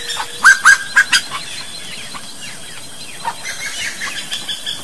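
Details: Slaty-breasted wood rail, a Brazilian bird, opening with four loud, harsh notes in quick succession, then quieter background chirps and faint calls fill the rest.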